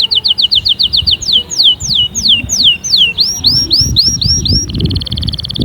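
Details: Stimulating canary song: quick repeated notes, then slower loud down-slurred whistles about twice a second, curled looping notes, and a closing fast trill, over low rumble.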